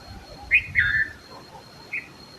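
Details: Red-vented bulbul singing: a short bright note near the start, then a longer warbled phrase, and a brief single note about a second later, over a faint steady high-pitched electrical whine.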